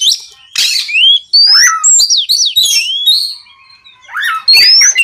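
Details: Night recording of an Oriental magpie-robin singing to prompt other magpie-robins: loud varied phrases of rising whistles, scratchy notes and harsh noisy bursts, closing on a bright upslurred whistle.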